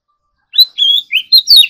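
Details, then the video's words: Oriental magpie-robin, a caged bird in morning singing practice, gives a short burst of clear whistled notes: a sharp high note, a long level whistle, then quick rising and falling phrases. "choè than hót đấu"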